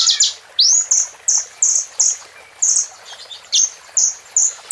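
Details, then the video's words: Plain prinia song filled with imitations of bar-winged prinia (ciblek): sharp, high, slightly buzzy notes repeated about twice a second, some swooping upward, over faint background hiss. "KONIN GACOR FULL ISIAN CIBLEK"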